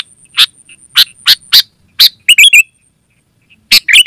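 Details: Sooty-headed bulbul, an active singer used to call in wild birds and train caged ones: several evenly spaced bright chips, then a quick burst of rolling warbled notes, a pause, and more chips with a short warble.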